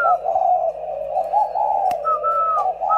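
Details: Two caged decoy spotted doves give low, rolling coos in a steady run, overlaid by thin, higher whistled notes near the end, with a room hum beneath.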